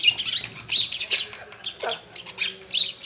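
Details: A pet myna at home chatters at a mirror in harsh, scratchy bursts with squeaky high notes, roughly two or three phrases a second, with no other clear sounds.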